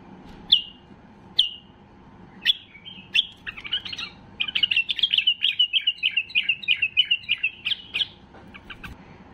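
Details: White-eared bulbul (Pycnonotus leucotis), song: excited song to prompt silent bulbuls into singing.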